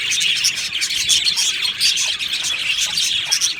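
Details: Short burst of aviary budgerigar chatter: crowded, high, twittering chirps and bright squeaks from numerous birds, loud and unbroken from start to finish.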